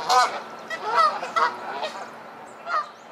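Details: Geese feuding aggressively, flying at one another with feathers flying; a few harsh nasal honks, loudest near the start and again near the end, with human laughter around them.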